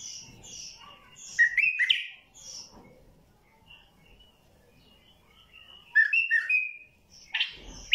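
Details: ['White-eared bulbul with a deep, heavy-throated voice, giving three separate rich whistled phrases with quiet pauses between them, each a quick cluster of warbled notes, with faint chirps in the background.']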